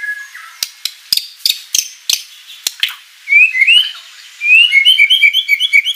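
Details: White-rumped shama song packed with filler phrases: about a dozen dry clicks at the start, then sweet whistled slurs and a fast run of short rising whistles repeated several times a second.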